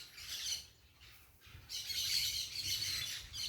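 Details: Parakeets noisily calling outdoors: bursts of shrill, raspy squawking, a quieter stretch in the middle, then a louder sustained wave of overlapping screeches.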